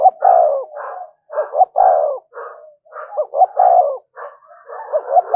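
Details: Spotted dove 'thúc gù' lure cooing. Dense, overlapping phrases of short hoots and falling coos follow almost without pause, with fainter echoing or second coos between the loudest notes.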